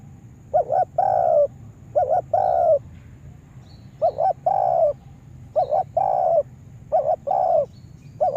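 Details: Lure spotted dove for trapping in a yard, uttering about seven phrases: each a rapid two-humped coo followed by a sustained soft coo, spaced about a second apart with occasional longer gaps.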